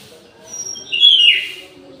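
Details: Orange-headed thrush singing actively at midday inside an aviary: a thin high whistle leads into a single bright, slurred warbled phrase lasting about half a second, over a soft steady hum.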